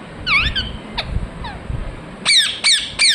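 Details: Chirping ringneck parrot giving scattered harsh, falling notes, then a quick run of three loud, buzzy, downslurred calls toward the end over a low rumbling background.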